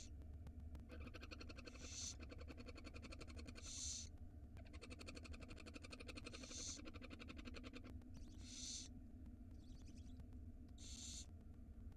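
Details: Tiny barn owl nestlings at feeding time, live nest camera in Israel, 2022: harsh hissing screeches repeated roughly every two seconds over a continuous scratchy rustle and low electrical hum.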